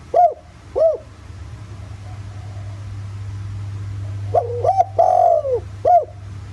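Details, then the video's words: Spotted dove decoy coo, 'giọng thổ' voice style, countryside, used to draw calls from other doves: two separate short hooked notes, a humming gap, then a full phrase ending in a long falling coo and crisp last note. "Tiếng chim cu gáy giọng thổ, kích mồi kích bổi hiệu quả nghe là gáy 100%"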